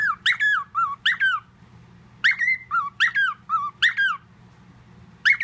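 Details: Male household parrot imitating whistled tunes, including the Andy Griffith melody; short squeaky whistled notes bend up and down in rapid clusters, some longer held tones, with a low electrical hum underneath.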